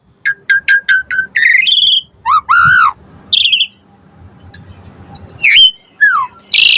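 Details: Lure recording of an Asian pied starling with many varied fill-in phrases: a row of quick clipped notes, rich harmonic warbles, then a sharp downward slur and a harsh high burst at the close.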